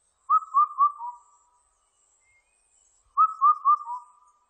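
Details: Indian cuckoo gives two phrases nearly three seconds apart, each of three ringing whistles and a lower, quieter fourth note, with a clean, silent background.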